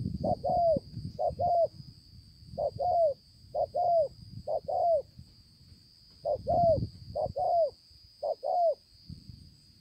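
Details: Spotted dove, a wild-caught bird recorded in Konlong on 5/9/2020. It gives bursts of paired low coos, short then longer and falling, separated by a pause of about two seconds, with some low thumps and a steady high hum.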